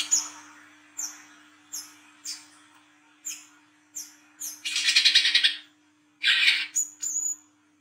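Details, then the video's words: Brown-throated sunbird (kolibri kelapa) singing in the wiceh trotol ngriwik style at night, used as a lure. Sharp high chirps slurring downward come about once a second, then two long buzzy, crackling trill bursts, over a faint steady hum. "KOLIBRI KELAPA WICEH TROTOL GACOR NGRIWIK NGLAGU MENTAL JAHAT/PANCINGAN KOLAP"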